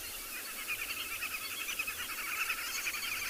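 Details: Green wood hoopoes calling in the morning in the South African bush: a rhythmic, rapid chattering of short, repeated notes that swells and continues throughout, over a steady hiss of insects.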